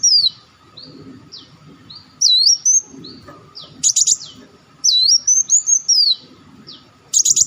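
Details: Olive-backed sunbird lure recording for attracting birds, with high, thin, swooping whistled notes in rapid phrases, broken by short, harsh, very high buzzy bursts, and a faint low rumble between phrases.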